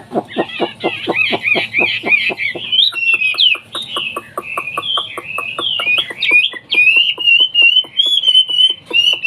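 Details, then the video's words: A Hwamei, a bird from China, kept for its song, pouring out fast jumbled trills, then longer clear whistled phrases rising and falling, accompanied by constant sharp rhythmic ticking. "BURUNG WAMBIE SUARA BERKELAS MEWAH"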